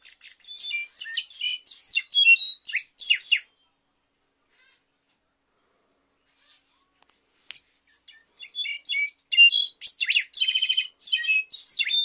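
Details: A Mexican goldfinch sings its "clarín" song: two bursts of rapid, high, twittering phrases with sweet whistled notes, separated by several seconds of near silence.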